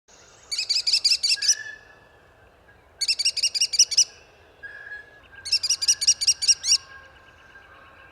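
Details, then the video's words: American kestrel in Ohio giving three quick bursts of shrill, rapid klee-klee-klee notes, each about a second long, separated by short pauses, over faint background hiss. "The American kestrel sounds like this."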